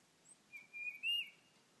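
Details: Tufted titmouse singing at a bird feeder after switching from calls to song, recorded on an iPhone; one short clear whistled phrase of a few high notes, the last louder and slurred upward, with quiet background.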